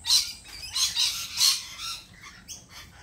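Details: Lorikeets at a lorikeet cafe let out a string of loud, grating screeches about every half second, tapering to softer squeaky notes.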